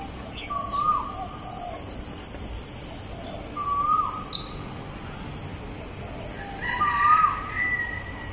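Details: Asian koel song from Bukit Batok East, 14 September 2021: rising whistled notes repeated about every three seconds, with a quick series of high chirps from another bird early on and overlapping chatter near the end.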